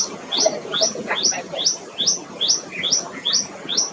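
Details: Tailorbird calling loudly in a steady series of sharp, rising two-part notes, about two to three per second, with low murmuring background noise beneath.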